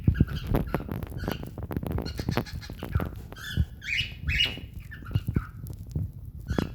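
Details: A pet cockatiel makes happy noises, bright scratchy chirps and short rising squawks, with a second cockatiel in the background and clattering, thumping noise.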